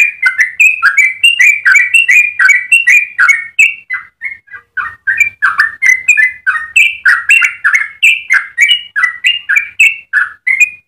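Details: ['Energetic yellow-vented bulbul song, a long rapid run for teaching and provoking other bulbuls: loud, bubbly whistled phrases rattled out about three per second, with a brief hesitation midway before resuming.']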